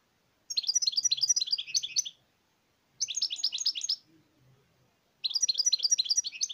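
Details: European goldfinch singing three bursts of rapid, high, tinkling twitters, each lasting one to two seconds with short silent gaps between, in an otherwise quiet setting.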